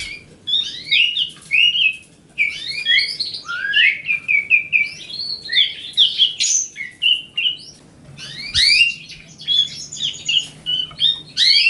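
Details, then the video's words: Continuous lively song of a grey-cheeked bulbul, fast chattering runs of twisting whistled notes in bursts separated by short pauses, with a faint low thump midway. "Riwikan Burung Cucak Jenggot"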